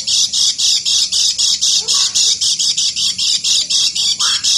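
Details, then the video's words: Lemon-bellied white-eye in ngeker-style song: a rapid, very regular run of shrill, buzzy notes, about four each second, loud and sustained throughout, with a couple of faint lower slurred sounds underneath. "KECIAL KUNING NGEKER"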